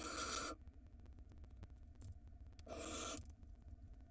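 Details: Barn owl filmed by a nest box camera in Israel during the 2022 breeding season, with a pair on eggs and a large rodent present. Two loud, rasping, hissed screeches about half a second each, separated by two seconds of faint clicks and hum.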